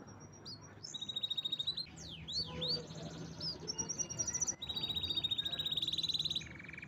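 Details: Canary delivering strong song with buzzy trills, looping whistled sweeps and a long rolling rattle that ends on a lower steady tone; faint hum underneath.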